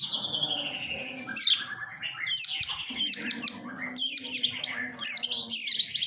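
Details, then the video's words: Long-tailed shrike: a long drawn whistle at the start, then bursts of harsh, scratchy chatter about once a second, mixed with short whistled notes, over a faint steady low hum. "suara burung pentet"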